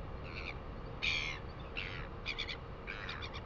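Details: Northern royal albatross chick on its nest at Pukekura/Taiaroa Head, New Zealand, 4 February 2020, perking up to be fed by its mother: harsh, chattering bursts in four or five quick bouts over a few seconds, steady low wind rumble behind.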